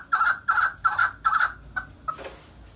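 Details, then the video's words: Chukar partridge utters four drawn-out, mid-pitched chuk notes spaced under half a second apart, followed by two short clipped notes before falling quiet. "Овози кабки Маст мархамад тамошо кунед 2020 Голос птиц как поёт горная Куропатка Кеклик"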